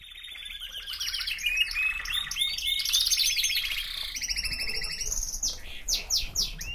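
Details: Canary singing a fast, varied song of rapid high trills and rolling repeated notes, with sweeping upslurred phrases toward the end.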